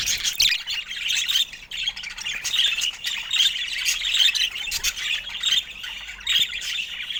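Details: Budgerigar chatter, a dense stream of buzzy, scratchy chirps and warbling notes running without pause, occasional sharper squawks breaking through.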